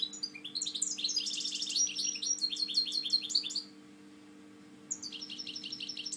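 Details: Captive European goldfinch, a breeding bird, sings a rapid twittering phrase of high, tinkling notes and downward sweeps for over three seconds, pauses, then resumes; a steady low electrical hum runs underneath.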